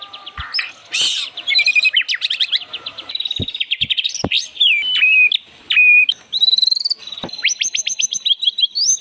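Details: Lure song of a white-rumped shama, varied and fast-changing, mixing trills, chattering phrases and clear whistles, with several sharp clicks in between.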